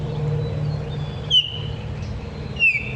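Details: A Baltimore Oriole, not recorded locally, gives two clear, high whistled notes, each slurring downward, about a second apart, over a steady low hum and faint thinner whistles, with a bobwhite in the background.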